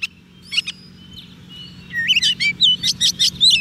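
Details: Oriental magpie-robin on soft food, singing to call wild birds: a few faint notes and a thin whistle, then from two seconds a fast run of loud, warbling, twisting whistles over steady low hum.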